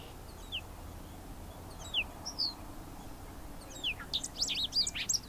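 A Bobolink gives a few high, short, down-slurred call notes, then breaks into a rapid, bubbly jumble of tinkling notes; faint background hiss.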